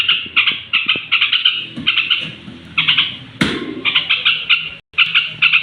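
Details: Yellow-vented bulbul (trucuk) singing near bedtime, a sound meant to stir up other bulbuls: rapid bursts of harsh, chattering notes repeated several times a second, with a loud crack mid-way and a brief silence near the end.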